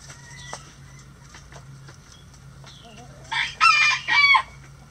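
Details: Chickens in a coop at feeding time: soft scattered clucks over a steady low hum, then a loud, harsh, harmonic call bursting out in three quick surges near the end.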